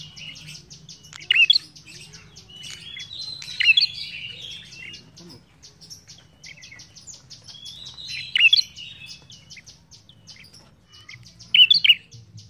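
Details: Ashy tailorbird in full, energetic song: loud, sharp, bright chirped bursts at about 1.5, 3.7, 8.5 and 11.7 seconds, over steady high twittering and a low constant hum.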